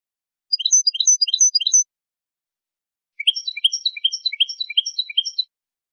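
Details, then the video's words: European goldfinch singing basic song phrases: two bursts of rapid, high, sweet twittering notes, each lasting about a second, separated by silence. "CANTOS BASICOS DEL JILGUERO ** CANTOS DE FANTASIA"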